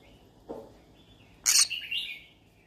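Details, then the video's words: Yellow-sided conure, a parrot seeking company to talk to, gives a low clipped note, then a loud harsh screech followed by trailing whistled chirps. "Yellow sided conure sounds : I'm looking for friends to talk to , parrot talking sound."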